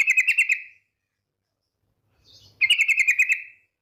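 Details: Rapid trilling call of a female yellow-vented bulbul summoning the male: two quick strings of about six to eight clear pulsed notes, bright and bubbly, separated by nearly two seconds of silence.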